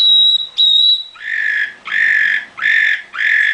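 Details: Nightingale kept in a cage gives one pure, steady whistle, then four harsh, buzzy notes spaced about half a second apart.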